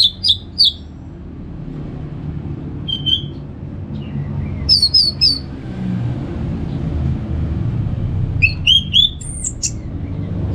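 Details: Orange-headed thrush, North Bali, singing ngeplong: short groups of sharp, high, slurred notes separated by pauses of a second or more, with one soft lower whistle and a steady rumbling background.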